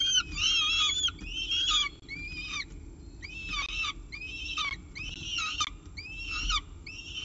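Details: Peregrine falcon at the nest with pigeon prey at breakfast time, 24 October 2018, giving repeated harsh, rasping wailing calls about once a second, each note arched and buzzy, over low steady hum.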